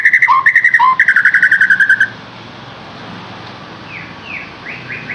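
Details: Lure song to stimulate a captive white-rumped shama: two seconds of fast bright chattering trill with lower notes, then faint distant slurred whistles.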